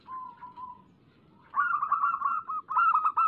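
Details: Local zebra dove lure recording meant to make doves sing: a soft steady mid-pitched tone, then a louder rolling, slightly wavering trilled coo over low background hum.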